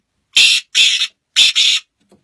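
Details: Black francolin giving loud, rasping, broadband notes in two paired bursts about a second apart, each note harsh and buzzy, with quiet between phrases.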